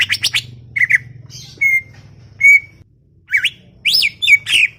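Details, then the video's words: Greater green leafbird, the chattering songster, giving scattered steady whistles and rising, looping notes separated by brief gaps, over a faint low hum. "CUCAK IJO cerewet bin bawel"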